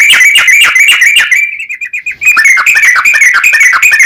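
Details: Yellow-vented bulbul singing long, rapid chattering phrases, used as a lure to excite other bulbuls into singing; dense bubbly notes run continuously, break off into a brief quieter pause midway, then resume just as loud.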